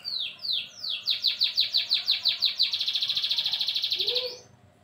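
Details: Pet white-rumped shama (murai batu) being bathed before going back into its cage: a few loud downslurred whistles, then a fast rattling series of sharp repeated notes, about three per second, ending abruptly, with a faint voice afterward.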